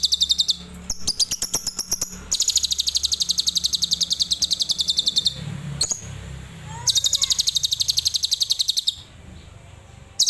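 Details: Adult lovebird in tembakan Cililin style, firing long bursts of rapid, high, rattling pulses of about three and two seconds, separated by scattered clicks and short chirps, with a soft low hum in the background.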